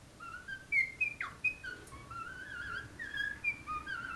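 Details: A pet cockatiel sings a run of clear whistled notes, some warbling and one sharply falling.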